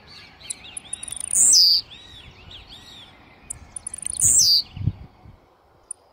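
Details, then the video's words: Aggressive blue-black grassquit singing: two short, loud, buzzy notes that sweep sharply downward from very high pitch, about three seconds apart, with faint ticking and low rumble in between. "TIZIU MUITO AGRESSIVO CANTANDO!!!"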